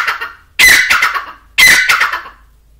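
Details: Grey francolin giving two loud, harsh, squawking bursts about a second apart, each a sharp strained onset fading into rough trailing notes, recorded close and slightly distorted.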